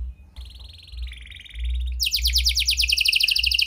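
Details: Canary in prolific song with a style imitating prenjak and lovebird, played to prompt silent canaries to sing: a faint buzzy passage, then a lower trill, then a loud fast series of high downward-sweeping notes.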